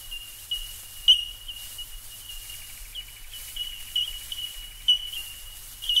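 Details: Bell Miner calls from Australia: clear, bell-like tinkling pings at one high pitch, repeated irregularly over a steady ringing chorus of similar notes, with a faint low hum underneath.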